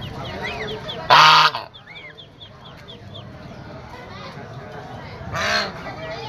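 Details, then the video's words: White domestic goose giving two loud, harsh, nasal honks, one early and one near the end, with a chorus of small, high, rising-falling peeps repeating throughout in the background. "suara angsa putih"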